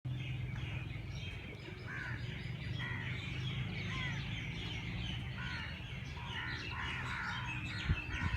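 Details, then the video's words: Birds chirping early in the morning at Race Course Jilani Park, Lahore: scattered high twitters and short notes over a strong low rumble of traffic-like background noise. "Birds sounds Chirping at race Cource Jilani Park Lahore صبح سویرے پرندوں کی پیار بھری باتیں"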